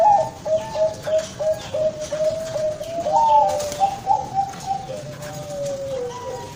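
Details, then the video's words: Zebra dove of the Bangkok type, its voice praised as thick and soothing, delivering rapid, soft, rolling coos that rise to a brighter peak midway and then trail off in a long, gently falling note, over faint rustling background. "perkutut bangkok SUARA JOZZ"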